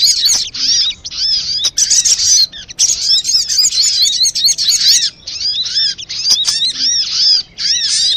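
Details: Busy sunbird lure audio (sogok ontong), played to prompt sunbirds to call and approach birdlime: long runs of high, scratchy chattering and fast chirps, several short pauses between runs.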